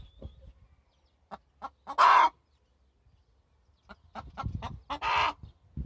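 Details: Farm-raised hen calling: two harsh, raspy squawks roughly three seconds apart among soft clucks and taps, with low background rumble.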